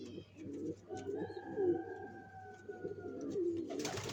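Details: {'text': 'Nest-building pigeons before egg laying give low, throaty coos in overlapping phrases. A thin steady whine runs through the middle, and a burst of hiss ends the recording.'}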